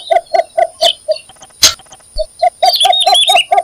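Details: Rapid series of mellow, knocking notes from a cinnamon bittern, spaced roughly a quarter-second apart with a short gap midway, overlapped near the end by a different bird's high, rippling chirps.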